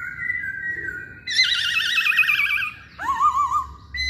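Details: Masked laughingthrush singing as a lure to provoke other birds: a steady whistle, then a loud rapidly warbling, vibrato-like phrase, and a lower, rising warble after a short pause.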